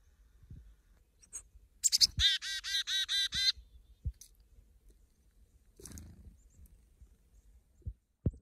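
A chickadee gives one high, thin opening note and then six or seven quick, buzzy 'dee' notes in a steady run, with a few soft knocks and rustles around it.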